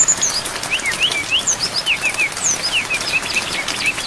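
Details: A brown-chested jungle flycatcher sings a richly varied song, recorded for training other songbirds, with rain throughout. Sharp high whistled slurs, some falling and some rising, come in a quick irregular stream over a soft, even background of falling rain.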